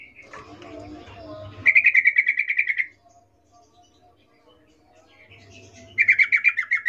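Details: Female sooty-headed bulbul's arousal call to a male, in the 'ngecuplik' style: two fast bursts of bright, evenly repeated chattering notes separated by a few quiet seconds with faint rustling and hum.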